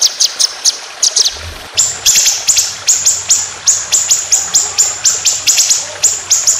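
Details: White-rumped shama, a competition bird, singing 'tembakan panjang roll speed' style: brief bursts of sharp high notes, then a steady run of accented piercing notes about three per second, with a faint low hum.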